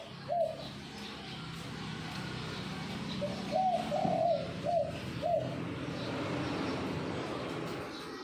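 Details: Zebra dove of the Bangkok perkutut line performing the kuk 2x song: short, clipped coo notes, then a rolling double-note phrase and two more brief kuk-like notes, with a steady low rumble underneath.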